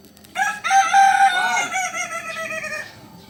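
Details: Kukuak Balenggek chicken from Solok crowing: a short opening note, then a sustained harmonic crow of about two seconds that dips and wavers before fading, over a quiet background.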